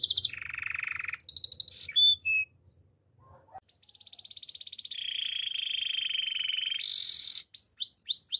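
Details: Belgian canary singing in the morning, with buzzy low rolls and a short whistle, a brief pause, then a long fast trill, a steady rolling tour and a few looping high notes.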